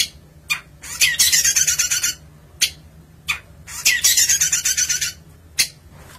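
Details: Long-tailed shrike, a kept songbird in Indonesia, repeating a pattern twice: a sharp click followed by a long rasping, pulsing buzzy phrase, with single harsh notes between.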